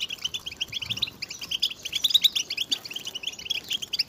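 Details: Short burst of European goldfinch group twittering intended to stimulate singing: quick rhythmic chirps and buzzy trills overlapping from several birds.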